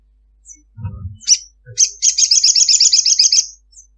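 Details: Ruby-cheeked sunbird in wild-type calls used as a lure to get sunbirds singing: a few sharp high chips, then a long, fast, thin chattering trill of about ten notes per second, with low thumps early on.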